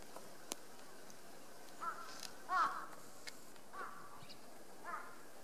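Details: Crow bothering a sleeping Ezo brown bear at Kushiro City Zoo, Japan, in March 2016, cawing in a loose series of four harsh calls with scattered knocks and outdoor background noise.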